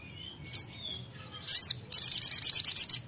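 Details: Songbird singing high thin whistled notes, then a fast run of sharp repeated chirps, about six per second, at a bright high pitch, with light background hum.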